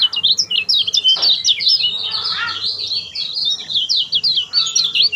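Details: Kecial kuning, the lemon-bellied white-eye, used as a lure for a silent bird: busy high chirping and warbled twitters, continuous throughout, with one sharp click and a faint hum behind.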